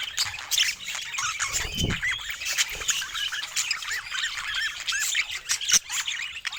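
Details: Pet budgies warble and squawk in a busy flock chorus with short looping whistled notes, one brief low thud partway through.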